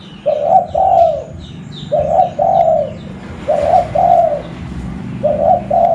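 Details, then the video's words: Local zebra dove from Pidie, Aceh, kept as a lure bird. Four paired, trilled coo phrases come at roughly one-and-a-half-second intervals, each a rolling double note. Soft twittering from other birds is heard in the background. "Burung Perkutut Lokal Pemikat Suara"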